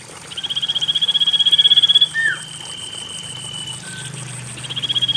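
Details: Common iora song meant to spur silent birds into song: a rapid even trill building over two seconds, a downslurred closing note, a quieter level tone, then the trill starting again, over steady hiss.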